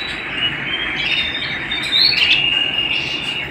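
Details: Canary singing at home: a thin steady high note with a short bright rising whistle in the middle, over a constant soft hiss.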